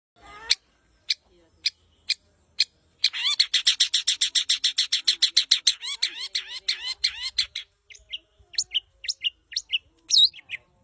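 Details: Long-tailed shrike, a lively singer, giving a series of sharp clicking notes that speed into a rapid rattling chatter of buzzy, looping notes, then slow again into scattered chirps and whistles.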